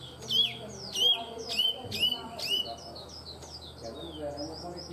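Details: Tame caged Chinese hwamei in steady song: loud, clear whistled phrases that sweep sharply downward, repeated about once a second, then a looser string of softer slurred notes, over low background hum.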